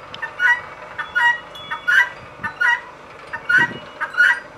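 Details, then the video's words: Repeated two-syllable cries of a female guineafowl, a brief lead note then a drawn-out rasping one, coming a little unevenly about once per second, with a soft low thud in the background. "Female guinea calling/sound"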